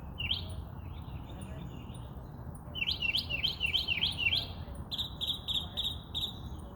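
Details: Bird chirping: a soft short phrase, then a louder burst of rapid sharp chirps, followed by a run of clipped, evenly spaced high notes, with low rumble beneath.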